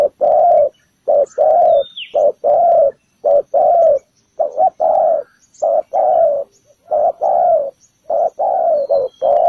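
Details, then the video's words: Spotted dove on the ground used as a trap decoy, cooing steadily in deep, rounded notes, paired short and long coos repeated roughly every second, loud and close throughout. "Bẫy cu gáy mồi đất, bổi thổ đủ bài"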